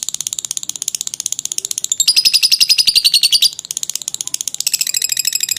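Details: Lovebird ngekek song for bird training: a fast, high chattering trill that starts moderately, swells louder and clearer in the middle, then eases into a thinner, quicker pulsing.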